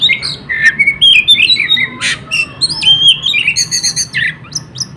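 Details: Singing without a break to spur other birds on, a caged Oriental magpie-robin pours out fast whistles. They run from clear gliding notes to scratchy bursts and quick trills of high repeated notes.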